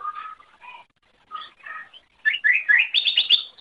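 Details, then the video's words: Greater green leafbird master song for teaching other songbirds: soft mellow warbled notes at first, building to a loud, rapid run of rising whistles and a fast repeated high trill at the end. "Masteran Suara Cucak Ijo"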